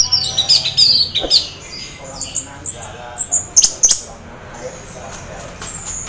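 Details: Orange-headed thrush, half in breeding condition, singing to draw other orange-headed thrushes into song: high, thin whistled and squeaky notes in quick bursts, sharp clicks between, some phrases dropping lower, faint background hum.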